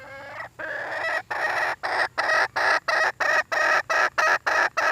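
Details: Red junglefowl hen calling in a fast, harsh series of loud cackling notes, about three to four per second, after a longer opening note. Low background hum beneath.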